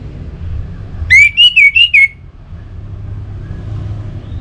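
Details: Orange-headed thrush (anis merah) giving gacor song as a lure for other thrushes: one compact phrase of about five clear, looping whistled notes on a steady pitch, surrounded by low rumbling noise.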